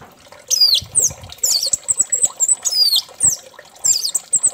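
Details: Orange-headed thrush song used as a lure to make another thrush sing: very high, thin squeaky swoops and sliding whistles in short bursts, with soft clicks and taps in the background.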